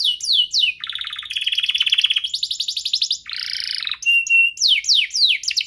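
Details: Two domestic canaries singing at full energy as a prompting and tutoring recording; quick upswept notes, a long rolled trill, a harsh buzzy phrase, then more rapid rising whistles.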